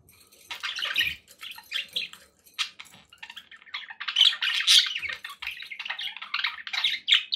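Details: Domestic budgies keeping each other company, a continuous run of raspy chatter and bright chirps, some notes sharper and louder toward the end, with faint low rumbling beneath.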